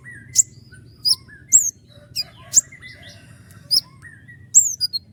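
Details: Common iora, known locally as konin gacor, singing for use as a master for other songbirds: sharp, high whistled notes, some sliding downward, spaced about every half second, with lower thin whistles between and a faint low hum beneath.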